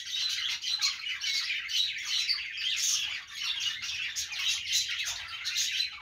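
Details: Lively budgie chatter, with grating squawks and rapid chirps running together in a continuous high twitter that swells and fades in short waves.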